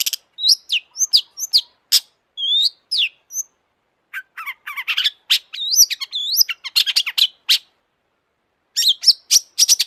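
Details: Long-tailed shrike in agitated, nonstop song, used as a lure to make other shrikes sing: rapid run of sharp chirps, short rising and falling whistles and harsh notes in bursts, with a gap of a second or so before more.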